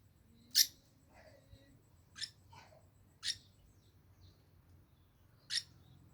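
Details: Iris lorikeet lure song used to set other birds singing: four sharp, piercing shrieks spaced one to three seconds apart, with faint softer chatter between them in an otherwise quiet setting.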